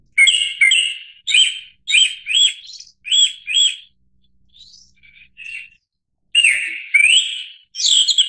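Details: Japanese thrush (Turdus cardis) singing loud, bright phrases of chirps and slurred whistles, each quickly repeated before a brief pause and a softer, quieter phrase.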